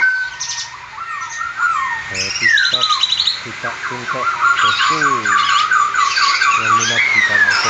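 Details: Caged female sooty-headed bulbul from the Semarang area, singing clear whistled phrases that slide between low and high notes in quick repeated bursts, with other chirping birds and squawks mixed in.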